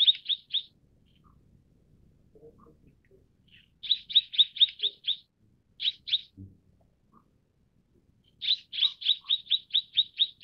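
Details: Mrs. Gould's sunbird calling in bursts of bright, piercing chips: a short trio, then a run of six, a pair, and a final run of eight rapid, evenly spaced notes, separated by quiet gaps.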